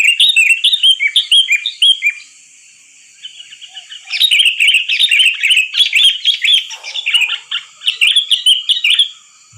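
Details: Excited sooty-headed bulbul chatter used to lure birds for trapping: rhythmic downslurred chirps, a short lull, then long, loud bursts of bubbly twittering notes.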